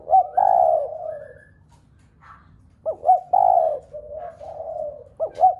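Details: Mellow repeated coos of a spotted dove, played to urge other doves to coo: a brief note then a long loud falling coo, a pause, then short stutters and another long coo.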